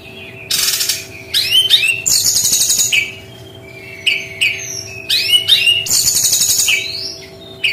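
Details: Brown-chested jungle flycatcher singing in its unique shooting style: short rising whistles and slurred high notes mixed with loud buzzy bursts, two similar phrase groups about five seconds apart, steady low hum beneath.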